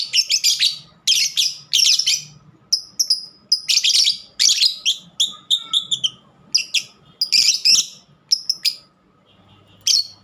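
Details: Lovebird calling almost continuously in short harsh bursts of high squeaky chatter mixed with clipped chirps, ending in quiet with one last squeak; low humming noise underneath.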